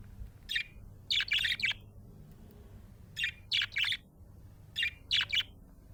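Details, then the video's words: Chirping from a happy budgie: three short bursts of sharp, high, scratchy chirps, each burst holding two to four rapid notes, separated by brief pauses of about a second, with a soft low hum underneath. "Happy budgie chirping sound"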